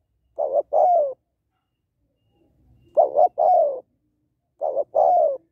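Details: Calling female spotted dove, meant to stimulate males, gives three soft coo phrases, each a clipped two-part note leading into a longer sliding coo, with gaps of roughly two seconds.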